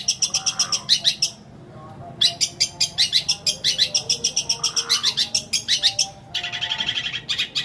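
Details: Long-tailed shrike delivering an extended mimicry fill ('isian') in greja petir and kuntilanak style, used as a lure for silent shrikes. Fast runs of sharp, high chirps with short pauses, ending in a denser, buzzier chattering series.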